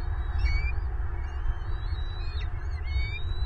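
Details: Bald eagle adult feeding chicks in a Southwest Florida nest, winter 2023, suddenly angry at them: scattered high, thin squealing whistles, some sliding downward, over constant low-pitched background noise.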